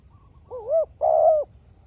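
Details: Two-part call of a spotted dove in a long back-and-forth contest with a wild rival: a bent, rising first note, a short pause, then a sustained rolling coo.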